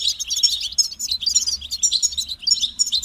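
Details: Continuous goldfinch song of quick, high, jingling notes and liquid trills, tightly packed with hardly any break, over a faint hum.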